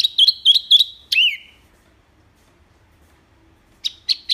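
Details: Lively wambi mini singing loudly and clearly, a recording for tutoring other birds; three quick sharp whistled notes and a falling slur, then quiet before three more crisp notes.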